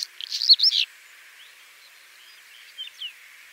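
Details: Quick, scratchy Whinchat phrase of chattering and squeaky notes lasting under a second, then two soft, thin notes in near quiet.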